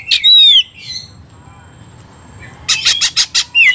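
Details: Oriental magpie-robin provoked to fight, 'ngobra' style: a loud whistled slur opens, then near silence, then a closing burst of rapid scratchy notes and a final upswept whistle.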